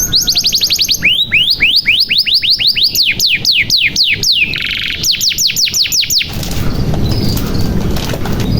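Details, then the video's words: Lure song of a canary in full 'gacor' voice, meant to prompt silent birds to sing: a quick high trill, then rhythmic descending whistled notes and a buzzy rattle, ending abruptly into faint background hiss. "SUARA KENARI GACOR • Pancingan Kenari Macet Bunyi Supaya Gacor • Membuat Kenari Paud Cepat Bunyi"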